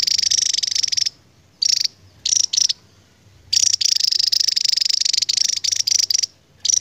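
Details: Endemic Javan tesia giving a long continuous song: sharp, very high-pitched trilled bursts. After early short phrases and pauses, it breaks into a sustained run of rapid, tightly packed notes lasting nearly three seconds. Faint low background hum.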